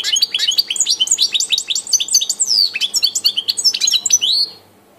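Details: European goldfinch recorded on 25 June 2018: a continuous, lively twittering song of fast tinkling notes, trills and sharp upward and downward slurred whistles, running for over four seconds before stopping. A faint low hum sits underneath.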